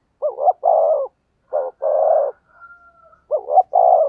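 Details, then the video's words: Spotted dove in thúc gù cooing for luring wild doves. Loud, buzzy coos in close pairs, a quiet gap with a faint thin whistle, then another pair of coos. "tiếng chim cu gáy thúc gù hay nhạy bổi, bổi nghe rất xiêng gáy"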